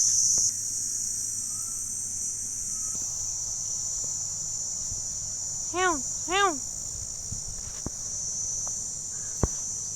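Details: Indian peafowl (peacock) giving two loud, nasal calls in quick succession, each arched and rich in overtones, over a constant high-pitched insect drone with a few faint clicks.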